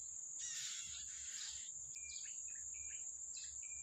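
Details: Wild yellow-bellied prinia feeding young: a long rasping burst of noisy sound, then several short, clipped tonal notes at mid-high pitch, with a continuous shrill insect drone behind.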